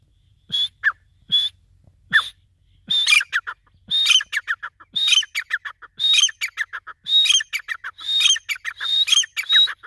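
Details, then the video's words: Grey francolin (desi teetar) calling: loud, harsh repeated phrases of sharp rising and falling notes, building from spaced single calls into a fast, rhythmic series repeated about once a second. "desi Teetar ki Awaz |Gary Teetar ki voice |Teetar sound |Teetar ki boli| گورے تیر کی آواز"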